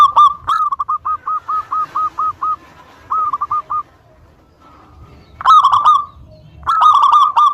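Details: Zebra dove of a local strain, singing to provoke rivals to answer: strings of short, evenly spaced clipped notes, a pause, then two loud, drawn-out coos with quick stuttering starts.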